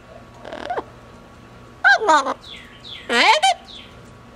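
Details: Pet female double yellow-headed amazon out on a cage outing makes two bursts of talking-like vocal sounds that bend downward and then upward, with faint high chirps and a quiet indoor hum between them.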